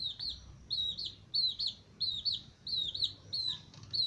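Aseel chicks peeping: high, thin chirps that arch down and up, often doubled, coming roughly every half second over a faint low hum.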